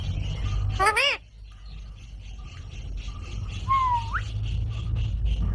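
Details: Green parrot giving one loud, harsh squawk. After it comes a quieter whistled note that falls and then sweeps up sharply, over constant low background noise.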